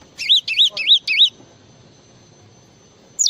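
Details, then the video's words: Java sparrow giving four loud, high, wavering chirps in quick succession, then silence and one more note at the close. "SUARA BURUNG GLATIK FULL ISIAN"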